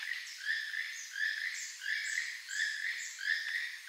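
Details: Keel-billed toucan giving a steady series of harsh, frog-like croaking notes, about three per second, each rasping and slightly buzzy, repeated evenly throughout with no other clear sounds.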